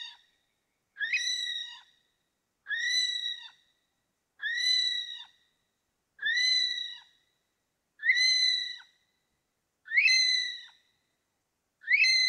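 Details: Okarito kiwi in a long, regular series: seven piercing whistled notes, one roughly every 1.7 seconds, each rising sharply, then held level and ending with a small falling tail; no background noise.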